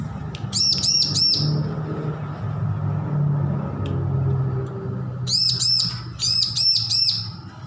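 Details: Recently weaned young bar-winged prinia learning to sing. A short burst of arched, harmonic-rich notes is followed by a long stretch of low hum. The bird then resumes with two fast clusters of repeated buzzy chips.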